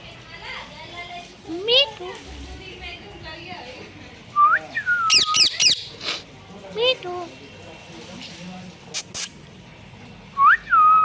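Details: Talking pet parrot, said to repeat words like mummy papa and Sita Ram: a run of chattering, speech-like harmonic notes, then clustered loud squawks and short rising whistles, ending with a bright upslurred whistle.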